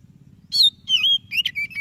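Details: Brief burst from an energetically singing white-breasted Oriental magpie-robin, used to prompt quiet birds: after a short silence, a high falling whistle, a wavering whistled note, then quick chirps and a level tone, over a low hum.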